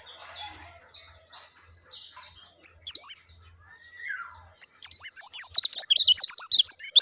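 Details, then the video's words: Oriental white-eye (pleci, dakun type) song: faint high twittering at first, a few isolated sharp notes and a soft falling whistle, then a loud fast burst of high chirping warbles near the end. "SUARA ASLI BURUNG PLECI DAKUN JERNIH"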